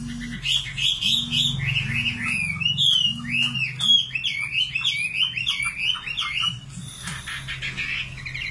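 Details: {'caption': 'Nightingale song of arched, repeated whistled notes in quick succession, followed by a burst of scratchy high notes, with a low tone pulsing in the background.'}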